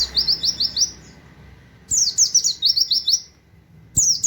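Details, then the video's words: Indonesian white-eye song for training other songbirds: high, rapid buzzy twittering phrases in short bursts separated by pauses, a faint steady low hum beneath. "pleci nembak wit wit kenari sejalur cocok buat masteran"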